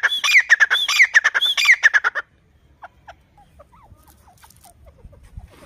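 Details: Grey francolin family playing in loose mud, giving soft clucking: a fast run of loud, ringing, rising-and-falling notes about four per second for two seconds, then quieter scattered short clucks over rustling.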